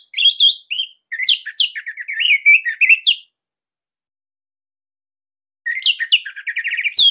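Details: Captive-bird training song of a Bali orange-headed thrush: two long bursts of quick, chattering and whistled notes, many sliding down and up, with a few seconds of silence between them.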